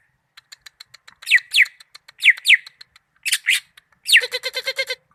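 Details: Greater green leafbird (cucak ijo) from Malinau singing: soft ticks, then pairs of sharp down-slurred whistled notes, ending in a fast run of repeated rich, harmonic notes.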